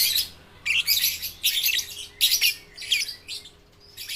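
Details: Young lovebirds, baby and balibu, used to prompt reluctant lovebirds into song. Five or six loud bursts of harsh, high, crackling chatter, each about half a second long, separated by short silences.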